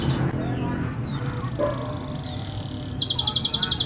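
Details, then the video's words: Canary song meant to stimulate canaries reluctant to sing; faint whistled notes over steady low background noise, then a fast, high, buzzy trill of rapidly repeated notes in the final second. "Pancingan Burung Kenari Malas Bunyi"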